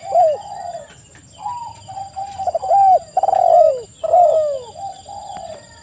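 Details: Spotted doves calling on bait audio meant to make other doves respond: a sharp arched coo, then a gentle run of layered mellow notes with several drawn-out falling coos, over a steady thin whine.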